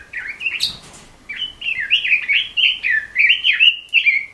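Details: Captive-training recording of a Red-billed leiothrix: after a short pause, a fast flowing warble of bright whistled notes, each slurring up then down, delivered in a steady chattering stream.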